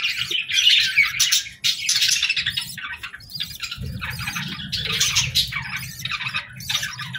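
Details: Steady harsh chattering and chirping from a bird, with squawky notes repeating roughly three times a second over a low rumbling background.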